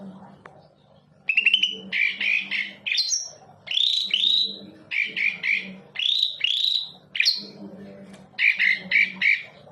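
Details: Lure recording of Greater green leafbird song meant to provoke other birds into singing: rich, rapid sequence of clear whistled notes, upslurs and chattering bursts in short phrases separated by brief pauses, over a faint low hum.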